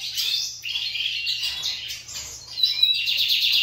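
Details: Several caged lined seedeaters singing in competition: rapid, dense chattering and trilled phrases high in pitch, with buzzy sweeps and a clear whistled note near the end, voices overlapping continuously; faint low hum underneath.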